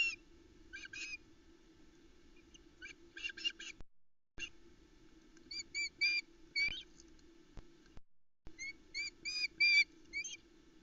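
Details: Female osprey calling at the Loch Arkaig nest with chicks present, morning of 17 July 2020, as the male delivers a large headless trout. Bursts of sharp, high, whistled chirps in rapid series with short pauses, over a steady low hum.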